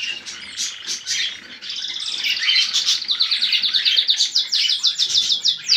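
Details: Cockatiel song played to encourage mating: a continuous rapid high chatter of warbling and chirping notes that grows louder and denser toward the end.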